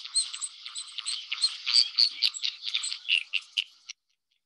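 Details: White tern (fairy tern) in the Seychelles, Indian Ocean, giving a rapid, buzzy, grating chatter of harsh notes, several per second for about four seconds, then stopping abruptly.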